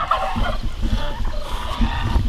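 Turkeys and chickens call together in a busy flock chorus of overlapping clucks and gobbling notes, over low rumbling farmyard noise and footsteps.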